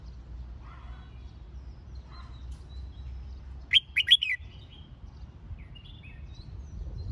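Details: Red-whiskered bulbul training song for fighting-style singing, one loud burst of clear whistled notes mid-clip, with faint soft chirps before and after over low rumbling background noise.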